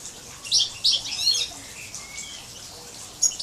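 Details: Major goldfinch crossed with canary, recorded 2012: a quick burst of bright, high chirps early on, then quiet, then one more sharp note.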